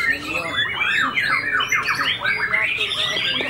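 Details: Caged white-rumped shama with white tail feathers, a fighter-style bird just out of its moult, singing fiercely; dense run of quick downslurred whistles and sweeps packed between mid and high pitch, with steady background chatter.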